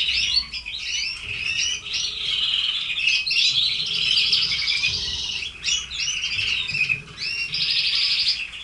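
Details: Red canaries kept as caged birds: a continuous loud song of rapid high chirps, quick warbled trills and rolling buzzy runs, sustained for nearly nine seconds with brief pauses, with a faint low hum beneath.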